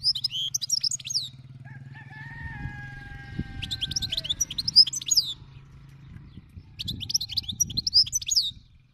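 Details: European goldfinch of the wild 'khalawi' type singing: bursts of rapid, high, twittering and tinkling notes, separated by pauses, with a steady long whistled tone in the background and a low rumble throughout.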